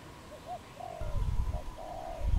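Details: Wild dove in Cambodia in April uttering a few soft low coos, two short notes then a long drawn coo, with loud low rumbling handling noise toward the end.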